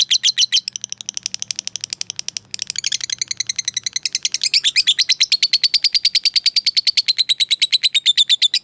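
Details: Long 'ngekek' chatter of a fighter lovebird calling out to a rival: rapid, evenly spaced shrill clicks and squeaks, briefly broken near the start, then a continuous high rattling trill that dips slightly in pitch toward the end.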